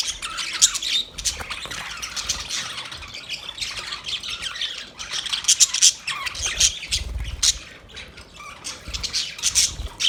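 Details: Busy budgerigar chatter, scratchy and broken into uneven bursts, with occasional sharp whistled peaks and softer low thumps underneath.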